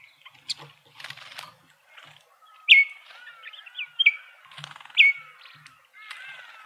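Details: Speckled mousebirds feeding in a South African suburban garden in Pretoria: loud, clean whistles slurring sharply downward, three in quick succession, with softer wavering notes and faint clicks between them.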